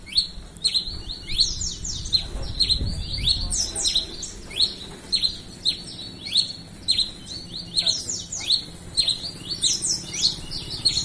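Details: Red-crested finch in sustained song, pouring out bursts of high, sharp, falling chips in uneven clusters, occasionally fast and stuttering, against a soft low background rumble.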